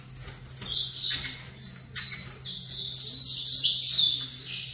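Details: Saffron finch facing a second bird delivers high, rapid chirps and down-slurred notes that grow into a dense, louder run toward the end, over a faint steady hum.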